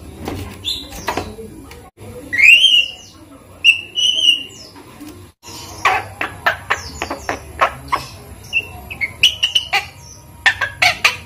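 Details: Hand-raised, captive Javan myna, five months old, learning to speak and taught human phrases and coughing. Clear whistled notes near mid-pitch, some sliding upward, mixed with sharp clicks and short rasping bursts in an uneven sequence.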